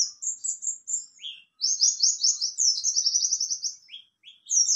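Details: Mountain white-eye singing in the ngalas and nembak styles: rapid high twittering phrases, some buzzy trilled runs, others quick descending chirps, with brief pauses between bursts.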